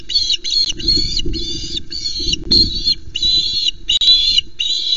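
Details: Osprey calling from a nest cam at Loch Arkaig, Scotland, at a fish delivery; clustered bursts of high, squealing whistles in uneven groups, with low wind-like rumble and knocks underneath.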